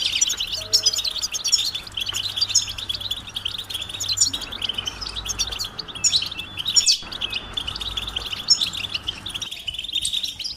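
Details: European goldfinch mating and readiness calls, used to rouse silent males into song: a dense, unbroken high twittering of quick tinkling chirps and trills over a steady shrill band, with short gaps near seven and nine seconds.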